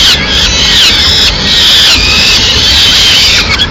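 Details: Peregrine falcon chicks in Madrid begging loudly at mid-morning as the female brings in a small bird as prey: continuous high, wavering wailing screams with a steady rough edge, held without pause throughout.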